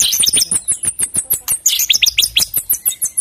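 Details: Murai batu (white-rumped shama) singing energetically in trotol and pastol style: a fast, even run of very high, sharp chirped notes repeated about seven times per second, loud and steady throughout.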